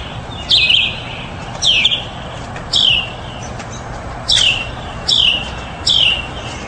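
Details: Mockingbird repeating a sharp downward-slurred chip note, mostly at intervals of about one second, in a quiet setting with low hiss.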